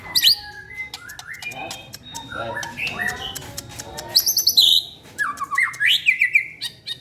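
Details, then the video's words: Murai batu, or white-rumped shama, delivering tembakan of lovebird and prenjak calls: rapid, varied chattering phrases with zigzagging high notes, quick upslurred whistles and dry ticks, some brief pauses between bursts. "Murai batu tembakan love bird dan prenjak"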